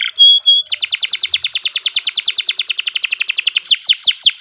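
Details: Canary in steady song for tutoring young birds. Short pure whistles are followed by a rapid, even series of loud downslurred notes repeated several times per second, ending in slower sweeping phrases.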